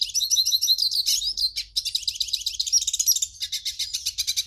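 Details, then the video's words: Song of the hooded siskin intended to open a captive bird's singing: crisp high chirps in quick series, rattling trills and short pure whistles, phrases broken by tiny pauses. "CANTO do PINTASSILGO para ESQUENTAR"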